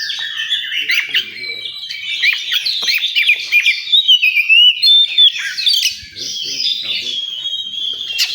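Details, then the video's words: Oriental magpie-robin singing at a bird-song contest area: a dense, fast stream of high whistles, chirps and sliding notes, several phrases overlapping as if from more than one bird, with faint low background murmur. "Suara kacer di area lomba"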